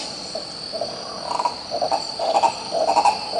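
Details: Green ibis, locally called coró-coró, in Pirenópolis, Goiás, Brazil: a series of hollow, pulsed, mid-pitched notes rising in loudness in short rolling bursts over a steady high insect drone.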